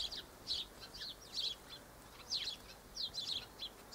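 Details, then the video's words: Double-barred finches (Taeniopygia bichenovii), filmed 1 December 2013 in hot sun, give high, thin chips and short down-slurred notes in irregular bursts about once a second, over a soft background hiss. "Double-barred Finches"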